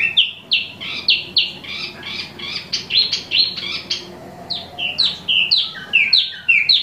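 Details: Imported wambi mini in lively nonstop song, pouring out rapid, varied whistled phrases of short slurred notes, several per second, some swooping down, others rising, in an unbroken chattering stream.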